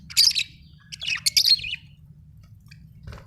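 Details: Australian budgie chirping in short bursts of sharp, high, buzzy twitters, three quick clusters, then a pause and one faint final chip, over a low steady background hum.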